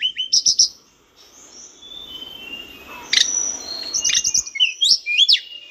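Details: Mountain bush lark song, a cage-bird training recording: short bursts of high chirps and trills, a quieter stretch with a faint hiss in the middle, then looping whistled notes.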